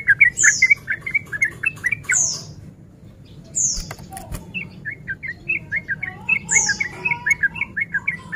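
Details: Lure song of a breeding-condition male Sooty-headed bulbul, meant to stir rivals to fight: two bursts of fast bubbly chatter split by a near-silent pause with a few clicks, and high thin descending whistles recurring above.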